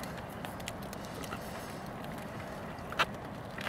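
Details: Outdoor rumble of a passing vehicle with a brief click or knock near the end; no animal voice stands out.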